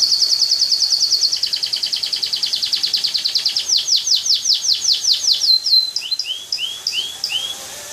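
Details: Loper canary in full song: a rapid high rattle-like trill that slows into a series of sweeping down-slurred whistles, then scattered bright chirps and upward slides, with clean background.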